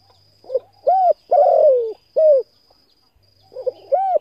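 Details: Spotted dove cooing, aimed at stimulating decoy birds. Soft lead-in notes give way to loud hollow coos, one long and drawn out, then a pause and another stuttering coo phrase. A steady high tone hums in the background.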